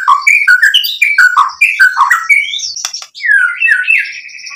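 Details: Provoking song of a white-rumped shama, meant to rouse rivals to sing: rapid varied whistles rising and falling in quick succession, then a short harsh burst and longer sliding warbled notes.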